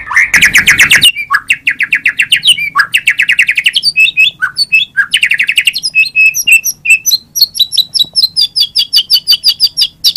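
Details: White-rumped shama in a 2017 compilation: a harsh burst, then fast chattering trills of high, dense notes, shifting into rapid repeated metallic chips several times a second, very bright and high.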